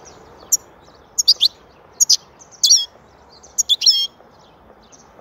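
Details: European goldfinch singing in rapid bursts of high, tinkling, twittering notes, with brief pauses between phrases. A longer buzzy-edged trill comes mid-way and the phrases repeat about every second.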